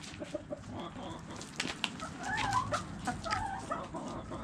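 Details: Feeding chickens peck and cluck, giving scattered clicks from beaks striking food, mixed with brief mid-pitched clucking notes that swell slightly toward the middle.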